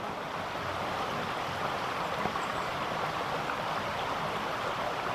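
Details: Steady rushing of a forest stream along a woodland road fills the recording with broad, even water noise and no animal calls.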